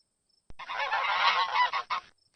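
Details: Domestic goose, named alongside its young, the goslings: after a half-second pause, a loud, harsh, continuous honking clamor lasts about a second and a half, followed by a few shorter raspy honks.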